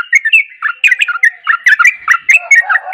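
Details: Sooty-headed bulbul, gacor nguklik style mixed with garuda, a lure for silent birds: crisp, loud, choppy whistled notes in fast bursts, some with ringing overtones, in a clean recording with no background noise.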